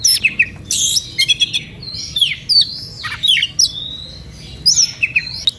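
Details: Oriental magpie-robin singing excitedly to goad rival birds into joining in; a rapid run of loud, high slurred whistles, downswept and rising notes packed closely together.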